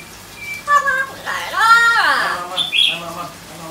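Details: Yellow-crowned amazon making a drawn-out, harmonically rich squawk that rises and then falls, followed by a brief higher squeak, in a quiet indoor setting with a low hum.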